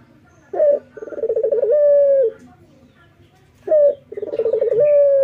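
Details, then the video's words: Two phrases from a male local Barbary dove in morning song, each a crisp short note, then a throbbing coo that settles into a long even tone, separated by a second or so of quiet. "SUARA BURUNG PUTER LOKAL JANTAN GACOR PAGI HARI"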